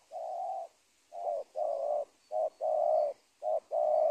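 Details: Indonesian spotted dove at a teak plantation margin beside a former corn field, giving a loud, close series of hoarse coos: a long opening note, then paired short-and-long notes repeated three times.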